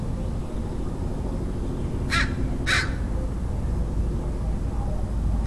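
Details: Crow calling in San Diego, California, USA, on 27 February 2009: two harsh, broadband caws about half a second apart near the middle, over a steady low rumble.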